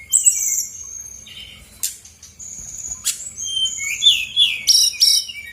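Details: Lure song of a brown-chested jungle flycatcher for provoking quiet birds to respond: long high thin whistles broken by sharp clicks, ending in rapid warbled trills.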